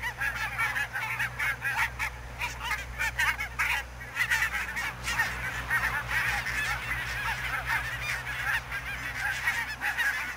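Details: In fog at Niittylahti, Savonlinna, Finland, on 2 October 2011, a large flock of barnacle geese keeps up a dense, overlapping chorus of short, yapping honks over a steady low hum.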